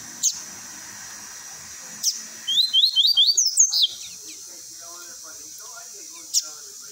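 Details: Double-collared seedeater giving its tui tui song for training young birds: a burst of rising whistled notes, with higher slurred notes near the end, between sharp clicks that come a few seconds apart.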